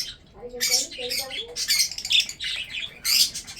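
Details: Breeding pet budgerigars eating food give squawky chirp bursts, mixed early with soft low tonal murmurs resembling speech.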